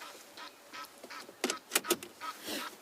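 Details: Two Egyptian geese give harsh, raspy honks in quick, uneven bursts, several a second, louder and strident toward the middle, at sunrise in April at Tree House dam, as they fly off without landing.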